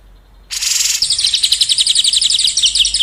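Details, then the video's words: White-rumped shama tutor song for contest birds opens after a short quiet with a harsh, buzzy burst, then runs into a quick, high, rattling trill of repeated notes. "SUARA KESUKAAN KICAU MANIA COCOK UNTUK MURAI BATU LOMBA & MURAI BATU TROTOL"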